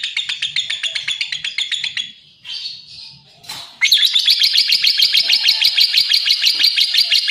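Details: Lovebird chattering in quick high chirps, pausing briefly for softer drawn notes, then bursting back into a louder, rapid stream of sharp chirps.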